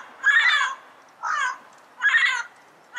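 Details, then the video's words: A yellow-headed parrot in the wild utters harsh, grating squawks in a steady rhythm, two loud long ones framing a shorter, softer call, about one every three-quarters of a second. "Yellow-Headed Parrot Sounds - Natural Bird Calls and Songs in the Wild"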